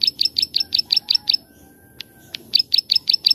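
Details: Plain prinia 'klik-klik' song for training birds: a run of rapid, buzzy click notes breaks off, a couple of separate snaps follow, and the rhythmic series resumes.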